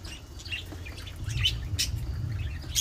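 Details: Pet budgerigar, or parakeet, giving scattered short, high chirps and chattering squeaks at irregular intervals over a steady low rumble of background noise.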